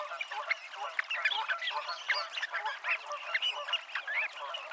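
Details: A Dunlin flock on the seafront promenade at Abruñeiras, Noia, Ría de Noia, gives a dense, continuous chatter of short, buzzy, overlapping notes, many birds calling at once with no pauses.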